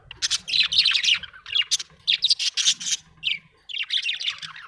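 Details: Budgerigar chirping happily: bursts of raspy, chattering warble and squeaks separated by short gaps, a quick rising chirp near the middle, faint low hum beneath.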